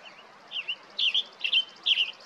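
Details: A male Western Tanager calls for his mate with four short, dry chattering calls, each a quick two- or three-part 'pit-er-ick', about every half second, over a quiet background.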